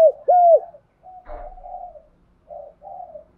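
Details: Decoy spotted dove calling: the tail of a long coo, then softer, quieter coo notes, with a brief click of handling noise.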